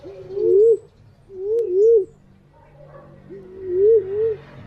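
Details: Whistled green pigeon call played as a lure: three mellow warbling phrases, each a pair of up-and-down swoops, spaced about a second apart over light background noise.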